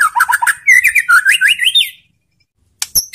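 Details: White-rumped shama singing to provoke other shamas to answer, a lure recording: quick chirps, then a fluent series of rising and falling whistled notes ending in a sweep, a short silence, and a final sharp note.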